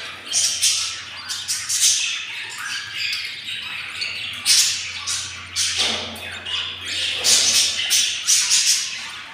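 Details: Very hungry albino lovebird chicks, four hatched and fifteen days old, keep up a busy stream of shrill, raspy squeaks and squawks in uneven clusters over a low steady hum.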